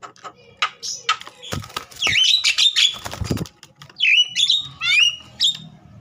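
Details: Agitated Javan myna whose song is played to make young mynas open their beaks and sing. Varied whistles, swooping squeals and harsh squawks mix with bursts of rustling, wing-like noise.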